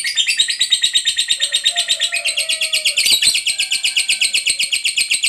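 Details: Lovebird in ngekek mode, a long chatter that lures other lovebirds into answering: a rich, rapid string of grating, trilled high notes, with a fainter lower whistled tone underneath for a moment.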